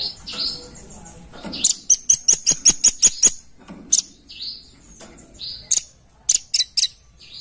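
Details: Velvet-fronted nuthatch, known locally as rambatan paruh merah, giving a lure call: a fast series of sharp, very high chips, one burst of about eight notes and shorter clusters, with faint rustling between.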